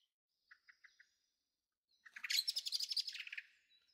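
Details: A young Eurasian blackbird, the second youngster, in a garden on 23 May 2013. Four short, evenly spaced chips are followed by a dense, rapid, buzzy chattering burst lasting about one and a half seconds. The background is quiet.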